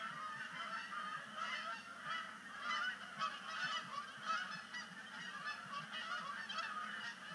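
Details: Migrating Canada geese splashing down at sunset on Sapsucker Woods Pond, 5 October 2019; loud, continuous honking from a large flock, many nasal calls overlapping and swelling in waves, with brief louder bursts near the middle.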